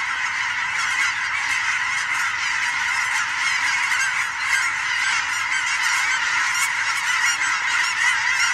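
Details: Migrating geese passing overhead in huge flocks with sandhill cranes, fall evening, Oregon; countless honking voices merge into an unbroken, busy wall of calls that holds an even loudness across the whole stretch.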